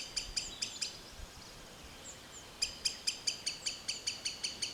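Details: A green sandpiper (Tringa ochropus) in a forest gives rapid, sharp, high whistled notes in quick series, about four per second, with brief pauses between bursts; faint background hiss.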